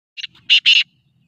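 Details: A black francolin under training calls a quick run of three harsh, grating notes: a short first note, then two louder, longer rasps, all in under a second.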